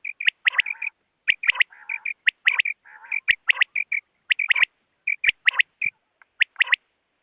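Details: Repeated quick three-note quail phrases, sharp and whistled, close together with soft notes in between, and several loud, sudden clicks scattered through the recording.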